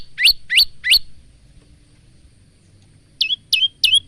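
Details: Phone recording of a male Bar-winged prinia kept as a training singer: three bright upswept chirps, a pause of about two seconds, then three more slurred chirps.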